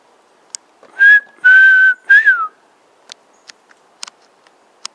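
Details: A territorial Chestnut-crowned Antpitta (Grallaria ruficapilla) near Tandayapa in north-west Ecuador, being whistled out, gives three clear whistled notes, two level and the last rising then dropping, followed by faint scattered clicks.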